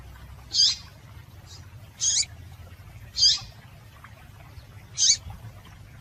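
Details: Female double-collared seedeater call used to get males singing: four sharp, high chip notes spaced roughly a second apart, each brief and slightly rasping, with a soft low hum beneath.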